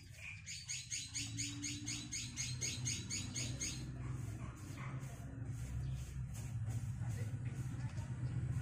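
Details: Javan myna nestlings aged five days, fed grasshoppers and caterpillars by both parents; a fast run of high, even chittering notes, about four per second for four seconds, then softer rasps over a steady low hum.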